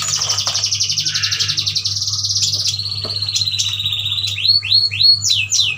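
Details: Group of caged Kalimantan yuhinas, both sexes, in full song: a long, high buzzy trill that drops into a steadier chatter, then quick whistled up-slurred notes, over a constant low hum.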